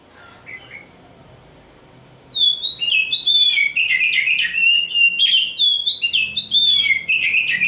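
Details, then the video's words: Oriental magpie-robin of the black Kacer Hitam type, described as a would-be champion, gives a few soft notes over faint hum before launching into an energetic, loud song of sharp whistles and tumbling trills. "Nyanyian si "Kacer Hitam"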